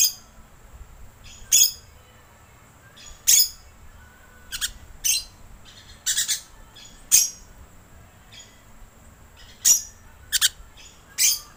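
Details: Lure recording of rainbow lorikeet: scattered shrill, scratchy shrieks, some single and some in quick pairs, irregularly spaced over about eleven seconds against a quiet background.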